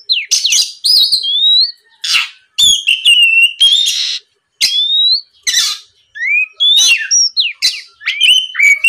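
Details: Lure recording of a vigorously singing Oriental magpie-robin, meant to make rival birds reply and sing. Bright rising and falling whistles alternate with scratchy broadband notes in quick, irregular phrases.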